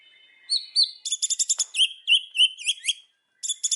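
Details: White-rumped shama in the afternoon with loud learned phrases: a high whistle, then rapid stacked ringing notes and a series of swooping whistled slurs. It ends after a short pause with another quick trill.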